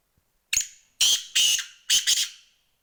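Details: Black francolin calling: a series of four loud, harsh, grating bursts, the middle ones doubled, spaced about half a second apart against a silent background.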